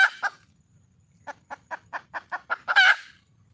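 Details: A red junglefowl hen calling for a male. A rough squawk and a cluck come first, then after a pause about ten clucks speed up and swell into a loud, harsh closing squawk.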